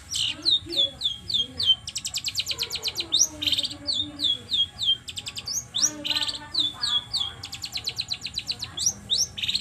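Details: Long-tailed shrike pouring out a fast, high, varied song of sharp chirps, rapid chattering trills and slurred whistles with a few lower notes, a lure recording meant to provoke other shrikes into singing.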